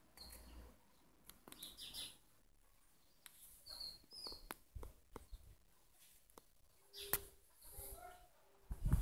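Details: Maritaca parrots in Pirassununga, São Paulo, Brazil, having their last meal of the day on a Sunday, 11/02/2018, give scattered short, sharp chirps and squawks, some high and thin, others lower and harsher, over a steady low rumble.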